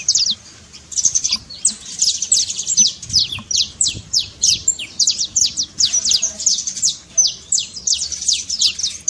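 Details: Trincado song of a saffron finch, the local canário-da-terra, meant to rouse a silent canary: a long, unbroken stream of quick, high, downward-sweeping chirps that keeps going throughout.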